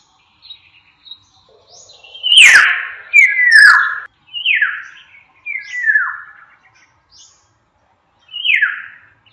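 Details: Black-naped oriole song: rich whistled notes sliding down from high to mid pitch, given in short phrases about every second, with a sharp click near the start.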